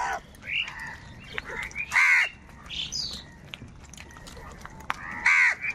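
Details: Crows quarrelling at food, giving intermittent loud, hoarse caws spaced a few seconds apart, with fainter calls between.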